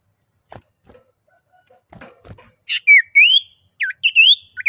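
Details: Common iora (sirtu/cipoh) singing in an agitated way, calling a rival: soft clicks and rustles first, then loud whistled phrases that sweep up and down, given in quick bursts.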